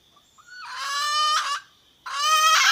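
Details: Wild red junglefowl hen calling the rooster: two long, hoarse, nasal squawks, the first swelling and then fading, the second starting abruptly, with a steady high whine in the background.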